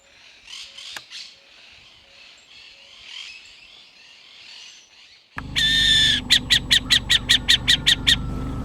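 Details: A Burrowing Owl, in Argentina, gives its alarm call when it senses a threat: a loud, harsh rasping burst, then about nine sharp clucking notes, roughly four a second, over a low steady hum.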